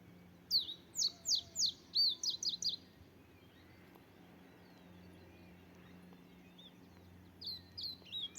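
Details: Bird singing outdoors: a quick series of high, sharply down-slurred whistled notes repeated about eight times, then silence and a few more notes at the end, over steady low hum.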